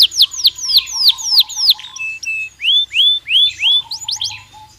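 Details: Belgian canary song, for stimulating a bird to sing: loud falling whistled notes, then a flat tone and rising slurred whistles, with a faint low hum beneath.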